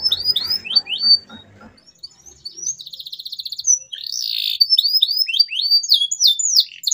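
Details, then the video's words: Canary 'gacor' song aimed at getting silent canaries singing: whistled upward sweeps over a low background murmur at first, then a pulsed trill and bright, rapid varied phrases. "CUITAN KENARI 100% GACOR PERANGSANG KENARI BISU AGAR KEMBALI GACOR"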